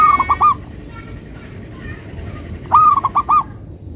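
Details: Melodious local zebra dove. Two loud, crisp bursts of rapid stuttering coo notes are separated by about two seconds of quiet background hiss.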